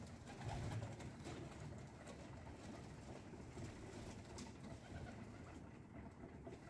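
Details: Low, soft pigeon cooing rumbles under a busy wash of background noise, with a brief louder burst near the start, as pigeons gather at breakfast feeding time.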